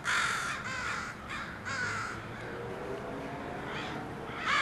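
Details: Part of a crow brood at a house: rasping, downslurred caws from several birds, one loud call opening and another closing the sequence, softer calls between.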